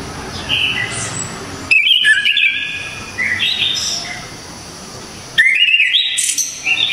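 Orange-headed thrush singing loud, varied whistled phrases in bursts, some sliding and some rising to high, sharp notes, with short pauses between bursts.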